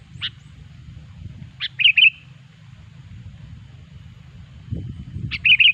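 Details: Sooty-headed bulbul song used as a loud lure for trapping bulbuls: a sharp high note, then short bubbly whistled phrases near two seconds and again at the end, over a steady low hum.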